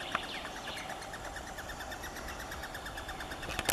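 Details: Eurasian three-toed woodpeckers (Picoides tridactylus) at a low nest hole give a steady, rapid chatter of short, buzzy mid-pitched notes, several each second, against a soft hiss of outdoor background noise.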